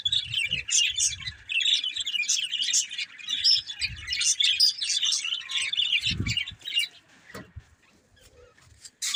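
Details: Pair of breeding budgerigars keeps up a lively warbling chatter of high, quick chirps and squeaks that thins out and fades in the final seconds, with a few low thuds underneath.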